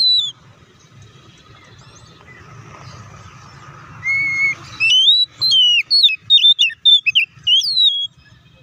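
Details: Oriental magpie-robin (kacer) lure song meant to trigger a fast, angry response; a soft noisy opening with faint humming, then a steady whistle leading into quick upslurred and downslurred notes repeated under a second apart.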